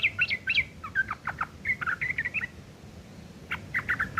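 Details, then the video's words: Rough ngeriwik kasar chattering of a sooty-headed bulbul, used to tutor long-tailed shrikes: quick scratchy chirps and short whistled notes in loose clusters, a brief pause, then another fast chirping burst. "trucuk ngeriwik kasar isian burung CENDET"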